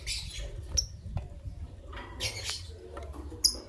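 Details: Green Personata and albino lovebirds chirping in the morning, giving bursts of piercing, high squeaky chirps and brief rasping notes in quick irregular succession, with faint low hum behind.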